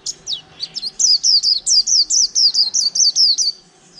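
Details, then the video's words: Caged white-eye, wild-caught and kept over a month, singing 'líu' song: a steady string of roughly fourteen high, clear, falling chirps delivered quickly and evenly, with little background sound. "chim khyên víp mộc hơn tháng lồng cheo là líu hàng tuển"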